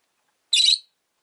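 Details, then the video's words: One rosy-faced lovebird of a pair huddled at an entrance gives a single short, harsh, shrill, buzzy chirp in otherwise quiet surroundings. "Lovebird Chirping Sounds"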